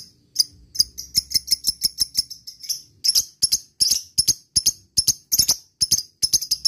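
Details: Lovebird lure call, meant to make other lovebirds answer: sharp high chirps repeated about twice a second, growing denser and louder in the second half.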